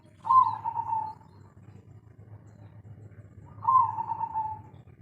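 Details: Spotted dove of local stock, kuk 3 song type: two drawn, gently falling coos about three seconds apart, separated by quiet hum.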